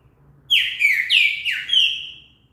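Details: Loud, clear Green-winged saltator phrase played to prompt birds to sing, four descending whistled slurs delivered rapidly over about two seconds, quiet surroundings.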